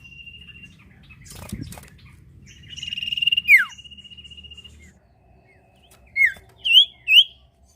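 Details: Sirtu bird in lively song, meant to prompt other birds to sing: sharp high chirps and downslurred whistles, a long steady whistled tone, then three quick rising-falling notes near the end over a low background hum.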